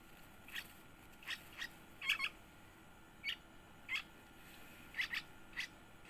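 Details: One-week-old yellow-vented bulbul chick being fed: short, thin, high squeaky cheeps given singly and in quick pairs, about ten over six seconds, over a steady background hiss.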